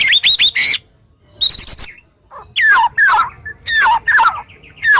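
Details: White-rumped shama uttering coarse, sharp 'tembakan' song meant to stimulate other shamas to sing: four rapid hooked whistles, a high trilled phrase, then several loud descending slurred notes spaced about half a second apart.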